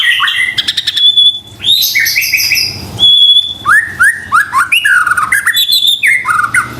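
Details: White-rumped shama song played as a lure to get stressed or lazy kept birds singing: rattles, sustained high whistles and a string of rising and falling slurred notes in quick succession.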